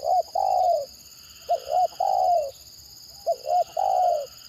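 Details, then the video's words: Spotted dove giving the tekukur gagap stuttering call, which other birds reportedly answer keenly, in a trapping setting: three quick phrases, each a pair of short mellow coos and a longer descending coo, roughly every one and a half seconds. "Mendengar Suara Tekukur Gagap Ini Burung Lain Pasti Responnya Gacor"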